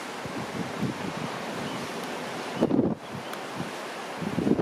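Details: Waves breaking on the shore and wind rumbling against the microphone, with no bird calls audible.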